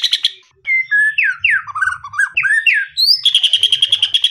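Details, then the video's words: Murai batu singing loud full isian: swooping slurred whistles sliding up and down in varied phrases, then a fast rattling chatter of rapid repeated notes. "Full Isian Murai Batu"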